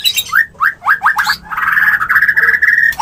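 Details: White-rumped shama breeding-condition mating call: four quick rising whistled upsweeps, then a sustained buzzy trill held at one pitch for over a second.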